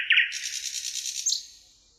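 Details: Thrush nightingale recorded by the Emajõgi river in Tartu, Estonia, on 1 June 2018: a brief dense, harsh buzzing rattle with a few quick notes at the start, fading out.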